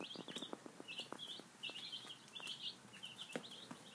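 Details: High, bright peeping from a group of five-day-old chicks eating breakfast, short calls in quick runs, with pecking clicks underneath.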